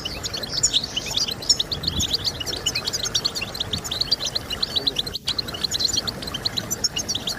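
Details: Goldfinch song meant to stimulate singing in birds: rapid, continuous high-pitched twitter of clipped chirps and tinkling notes, with one short break near the end and constant background hiss.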